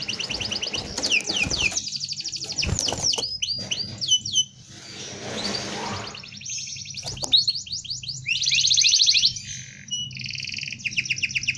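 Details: Tutoring recording of a canary's dense rolling song: fast rattling trills and swooping notes, a brief quieter gap with noise, then bright buzzy rolls and repeated trilled phrases.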